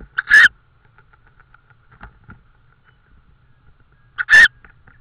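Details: Tawny owl in Estonia, mid-May 2013, late evening near prey deliveries: two brief scratchy screeches about four seconds apart, with soft ticking sounds and a faint steady hum in the gaps.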